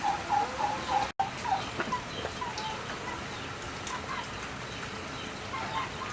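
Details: Turkey calling with a quick series of short, even notes in the first second, then fainter scattered calls over a steady background hiss.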